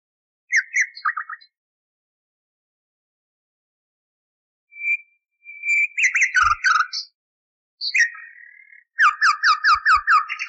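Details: Several common nightingale phrases with pauses between: a short whistle, buzzy chattering bursts, and a closing series of rapid, rhythmic repeated notes. The recording is at least thirty years old, cleaned up for canary training.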